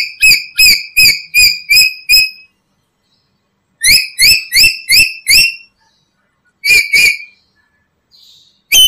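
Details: A black-capped lory, heard as lure for other lories, in two rapid bursts of six whistled harmonic notes separated by a pause, followed by a few scattered harsher notes.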